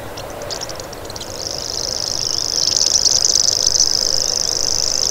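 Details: Common grasshopper warbler, a bird of grasslands and dense vegetation across Europe and parts of Asia, delivering a high-pitched, insect-like buzzing reel that starts after a second and runs steadily on, growing louder toward the end.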